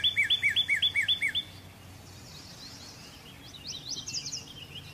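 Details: Northern cardinal giving six clear, rapid, rising-then-falling whistled notes in an even series, then a quieter stretch with faint, distant twittering and a low steady hum.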